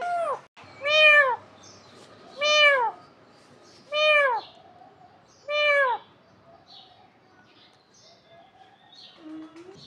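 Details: Parakeet, said to be talking, uttering five loud harsh harmonic calls, each an arching downward sweep, repeated roughly every one and a half seconds, then quieter faint notes and a short low tone at the end.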